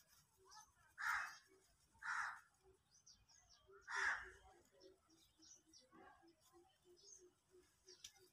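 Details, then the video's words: Indian peafowl giving three loud, harsh, nasal calls about a second apart, over a soft run of low repeated notes and faint chirps from other birds. "Peacock Sounds"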